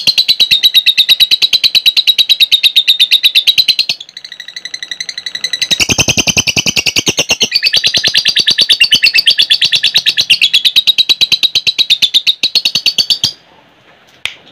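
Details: Lovebird in ngekek style, used as a lure to prompt other lovebirds to sing: a long, rapid, buzzy chattering trill lasting over ten seconds, briefly broken and rougher midway, then resuming steadily before stopping.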